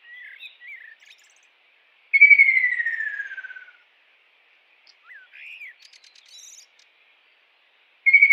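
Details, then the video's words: Kingfisher in the wild: a few soft, short chirps, then a long descending, trilled whistle lasting over a second, more quiet squeaky notes, and the start of another loud whistle at the end. "KICAU BURUNG TENGKEK RAJA UDANG di alam liar"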